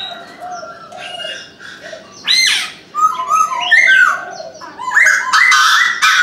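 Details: Chinese francolin at dawn giving loud, coarse notes in uneven bursts, some rising and falling steeply, mixed with a constant chatter of small songbirds in the background.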